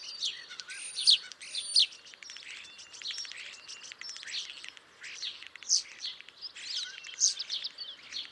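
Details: Chattering starlings with a busy mix of rapid clicks, squeaky chirps and rasping notes, broken by a few thin, steady high whistles and louder sharp peaks around the first and seventh seconds.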